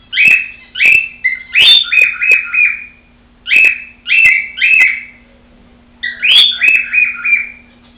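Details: Whistled song from a female pet cockatiel watched on the sly: loud bursts opening with a sharp upslurred note, then a run of three or four descending chattering whistles, repeated in three phrases.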